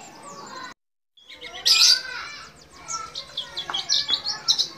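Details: A white-eye (pleci), owner unsure whether a Dakbal (Bali) or Banyuwangi type, gives a long, high, rapid twittering song of thin chirps and trills used as a master song, broken by a brief pause, with faint background noise.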